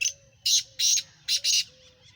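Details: Black francolin, Sindhi type from Pakistan, calling: five loud, harsh, grating notes in a quick broken phrase, a short note then longer rasping ones with brief gaps, with a faint low hum beneath.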